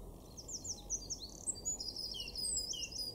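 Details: Eurasian wren in a garden at Weener, East Frisia, northwest Germany, April 2024, delivering a hurried, very high-pitched song of quick twittering notes that run into a dense, fast rattling trill, with a low background hum.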